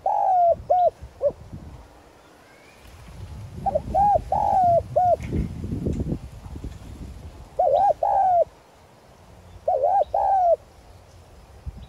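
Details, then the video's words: Lure spotted dove calling to attract wild doves, 'giọng son' voice; repeated low coo phrases built of quick double notes and a longer falling coo, separated by pauses, with faint rumbling background noise. "Cu gáy mồi chuẩn Gáy Gọi + thúc giọng son kích bổi nhanh nổi"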